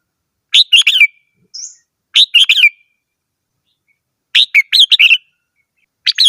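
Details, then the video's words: Red-whiskered bulbul song in clear, loud phrases of three to five quick whistled notes, cheerful and bubbly, repeated with short pauses; a faint thin high call in between. "chim chào mào hót - tiếng chim chào mào hót"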